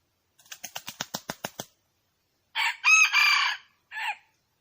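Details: Red junglefowl: a run of about ten quick wing flaps, then a loud, harsh, multi-part crow in three bursts separated by short gaps, with a final short note. Nothing else is heard.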